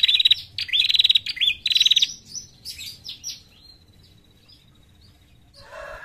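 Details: Lure call of a female bar-winged prinia: two seconds of loud, rapid, buzzy chirping trills fading to soft notes and a thin whistle, followed by a faint lower rustle.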